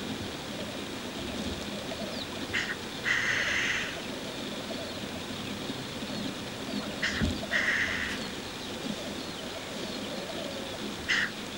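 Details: Wild black grouse at a spring lek during lekking courtship: loud hissing sneezes with a broad band near two kilohertz come in bursts about every four seconds, over a low continuous background of distant bubbling and rural ambience.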